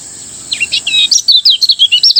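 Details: Lemon-bellied white-eye from Lombok singing a fast morning 'ngejos' song for training other caged birds: high chirps and warbled notes, then a rapid run of short sharp twittering bursts, with a steady high hiss underneath.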